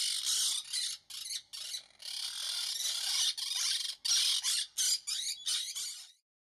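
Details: Monk parakeet (Myiopsitta monachus), call.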